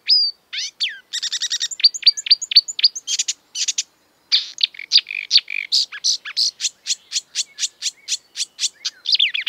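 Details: Marsh warbler in exuberant mimicking song of European and African birds, with rapid dense chattering, buzzy trills and a brief pause before a long run of quick sharp notes.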